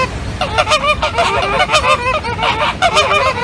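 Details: Honking flamingos: wavering, nasal, goose-like calls overlapping from several birds, steady and busy throughout with slight rising and falling inflections.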